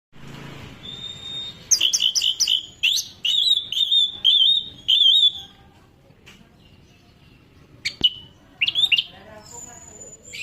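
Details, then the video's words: Orange-headed thrush (anis merah) singing a burst of loud, clear whistled phrases with rapid, warbling note changes. The phrases come in quick runs, pause, then resume with a short final flourish, over faint background hiss. "anis merah"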